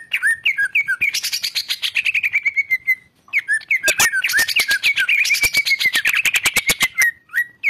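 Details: Greater green leafbird masteran: two bursts of loud, fast chattering song, each woven around a drawn-out falling whistle and punctuated by crisp clicks, separated by a short pause.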